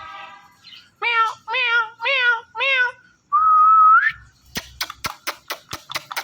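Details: Talking Indian ringneck parakeet kept as a pet, producing four drawn-out, nasal, meow-like calls about half a second apart, then a long smooth whistle and a run of sharp clicks.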